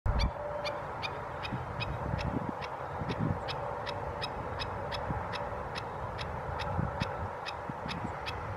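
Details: Black-necked stilt calling at 7:03 am at dawn at San Elijo Lagoon on 16 July 2016: short, sharp yipping notes repeated steadily about three times per second, over a constant low rumble of background noise.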